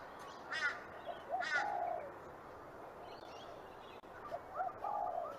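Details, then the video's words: Spot-winged pigeon: two hoarse, ringing bursts, then a short low note and a drawn-out, slightly falling mid-pitched note, with a similar note pair repeated near the end over steady background hiss. "pomba malhada"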